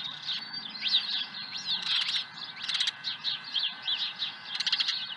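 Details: At the nest with an early fish at Dunrovin Ranch on an April 2020 morning, an osprey gives sharp, slurred whistled chirps in quick clusters, some sweeping up then down, over a low steady hum.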